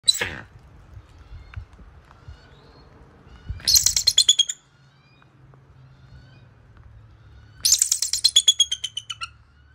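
Bald eagle gives two high, thin chattering bursts of quick piping notes, each about a second long and a few seconds apart, with a sharp knock at the start.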